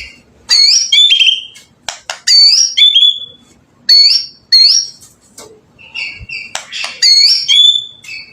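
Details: White-rumped shama, lure song for other shamas: short bright phrases of a high whistle slurring down into a lower note, repeated several times with crisp clicks between them.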